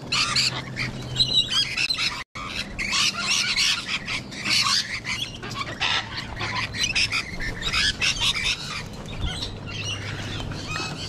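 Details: Wild sulphur-crested cockatoos with rainbow lorikeets at a feeding spot in Sydney, Australia: harsh, raspy screeches and squawks in dense overlapping bursts through the whole stretch, a brief dropout near two seconds, low steady hum underneath.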